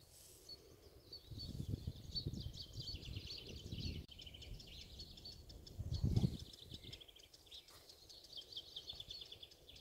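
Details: Eurasian wryneck in a breeding area with fledged young, early morning on 27 June: rapid series of short, high chattering notes running through most of the stretch, over low wind rumble.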